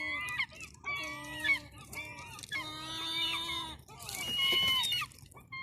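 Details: Seagulls at the seafront on a cold Sunday afternoon, giving long, harmonic, wailing calls held for about a second each, then a louder, harsher burst near the end.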